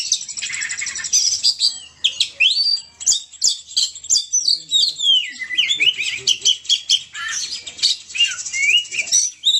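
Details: Oriental magpie-robin in full, vigorous song, pouring out a nonstop medley of high sweet whistles, upslurred and downslurred notes, and scratchy chatter, with sharp clicking sounds in between.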